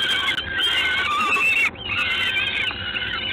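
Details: Peregrine falcon in Gdańsk at 19:47 on 3 June 2016, uttering two long, rasping, whining cries that are loud and continuous, with a brief dip between them.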